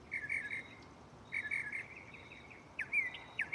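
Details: Mockingbird singing from a tree at night, softer here: buzzy drawn-out notes in two short runs, followed by a few quick sharp chirps.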